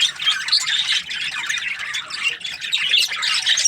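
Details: A group of budgerigars chattering nonstop, with high warbled chirps and scratchy squawks tumbling over one another at a fast, uneven pace.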